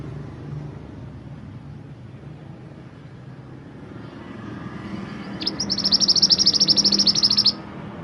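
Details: Mantenan gunung singing as master song for training songbirds: a high, rapid, sparkling trill lasting about two seconds over a steady rumble of passing traffic.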